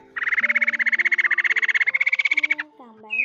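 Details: Male and female laughingthrush calling the flock, a recording used as a trapping lure: a fast, steady rattle of clipped notes lasting about two and a half seconds, then a brief rising squeal. Steady lower tones run underneath.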